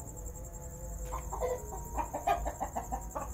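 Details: Red golden pheasant giving an irregular run of short, harsh clucks from the first second onward, roughly ten notes, some doubled, over a constant high-pitched insect drone and faint thin tonal whistles.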